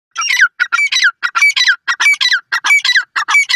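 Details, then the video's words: Francolin, called Irani teetar or partridge, giving loud, harsh, squawking phrases in quick regular succession, each a cluster of rasping notes ending in a downslurred tone, repeated about every half second with no background noise. "irani teeatr ki latest awaz,partridge bird ki latest voice"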